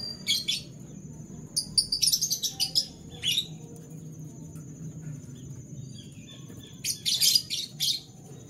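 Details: Canaries singing in the morning: scattered bursts of high, bright, buzzy chirps near the start and around the seventh second, separated by quieter gaps, over a steady thin high-pitched hiss and faint low background rumble.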